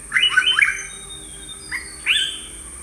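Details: Sri Lankan yellow-browed bulbul giving a quick run of sharp, down-slurred chirps, then a single softer note and a final bright slurred call after a brief pause.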